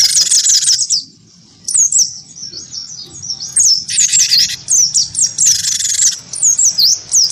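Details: Cinereous tit of the wingko type singing persistently, provoked into a fighting song by a white-eye: rapid high whistled down-slurred notes, interrupted by harsh buzzy chattering bursts and a brief pause.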